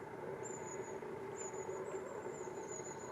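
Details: Long-tailed tit uttering thin, very high drawn-out tsee notes, four in three seconds, almost buried under a steady roar of background noise.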